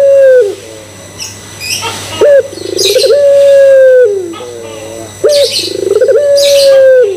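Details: Pelung Barbary dove cooing, played to prompt other doves to coo. A long flat coo opens, then a short note, stuttering pulses and another sustained coo. High twittering from other birds breaks in several times.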